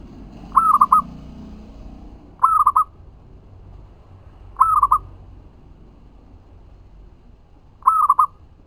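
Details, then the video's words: Persistent singing from a local zebra dove, meant as a lure to provoke replies. Four short phrases of stuttering, mellow cooing notes come about every two to three seconds against faint background hum. "Perkutut lokal GACOR suara ampuh untuk pancingan langsung nyaut"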